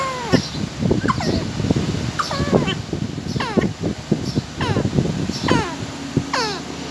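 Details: Parrot eating and vocalizing: harsh, descending squawk-like syllables repeated roughly every second, layered over steady crunching and chewing noises.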